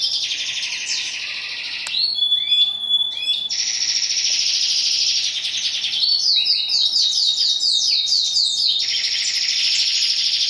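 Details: European goldfinch song: a dense, buzzy twittering band with a few clear, level whistled notes near the start, then rapid tinkling, liquid phrases that run on without pause.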